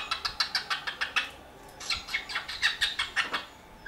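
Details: Cockatiel kept as a pet in Dortmund-Huckarde, Germany, producing a fast series of short, dry, clicking chirps in two runs, with a few tonal squeaks mixed in and a brief gap between them.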